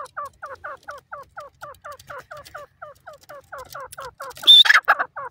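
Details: Grey francolin chicks, newborn and in their first days, foraging and bathing in forest: a steady run of soft, rapid, downslurred peeping notes, about three per second, with a brief louder burst of sharper notes near the end.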